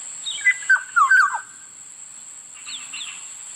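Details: Black-naped oriole delivering one quick phrase of three or four loud, liquid whistles sliding downward, followed by softer faint notes, against a steady high-pitched hum.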